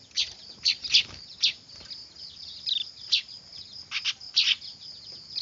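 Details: Clamorous weaver chicks used to lure birds: rapid, uneven bursts of high squeaky chirps, several in quick pairs, against a persistent high-pitched hiss.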